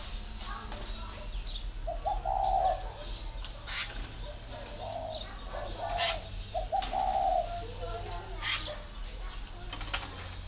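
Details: Northern Vietnamese spotted dove uttering a few throaty coo phrases spaced a couple of seconds apart, low and mellow with broken starts, alongside sharp clicks and low rumbling noise.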